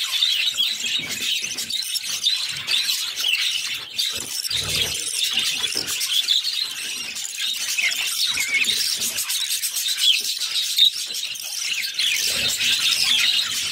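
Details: Captive budgerigar chicks, six of them, during feeding by their mother: a long run of piercing high squeals and rasping chirps, dense and nearly continuous, with a few soft knocks.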